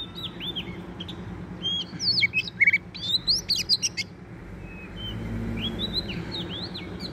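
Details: Wild magpie-robin singing hard during trapping, a burst of loud, mixed whistles, clicks and piercing notes over about two seconds, followed by softer, drawn-out slurred whistles, with a faint low background hum.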